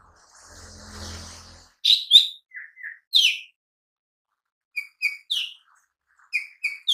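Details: Lesser green leafbird in lure and tutor gacor song: after a soft hiss and low hum, loud high slurred chirps, paired lower whistles, then evenly spaced clipped two-tone notes repeated in short runs.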